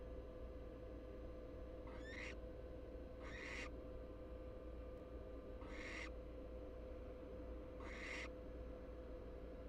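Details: American barn owl nestlings, three siblings of unequal size from asynchronous hatching, inside a Florida nest box; four rasping hiss-screeches about every one and a half seconds against a constant electrical hum.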